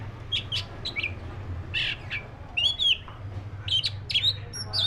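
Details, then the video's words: Song of a black-breasted Oriental magpie-robin: short high chips and harsh rasping notes mixed with brief twisting whistles, delivered in irregular bursts over a steady low-pitched hum. "SUARA BURUNG KACER (DADA HITAM)"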